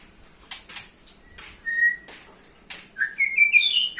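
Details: White-rumped shama song used to lure other shamas: sharp clicking notes, then a clear whistled note, then a rising series of bright whistles climbing higher toward the end.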